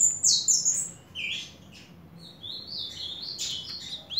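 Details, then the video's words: Ultramarine grosbeak recorded in July 2023, giving bright, high, slurred whistled notes in short fragments, loud at first and then softer, against a steady low background hum. "Azulão BRAZUCA"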